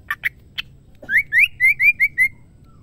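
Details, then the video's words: A female white-rumped shama calls to a male: three short clipped notes, then a steady string of six rising, slurred whistles at an even pace, clean and ringing. "MURAI BATU BETINA GACOR MEMANGGIL JANTAN"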